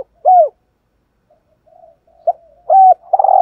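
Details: Captive decoy spotted dove calling to lure and provoke wild males: an arched coo, a pause with faint murmuring, a short note, a flat hooting coo and the start of a throaty trilled coo.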